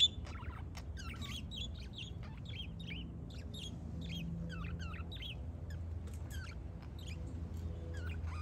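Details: A budgerigar watching the sunset chatters in quick, scratchy chirps and warbled twitters over a steady low hum.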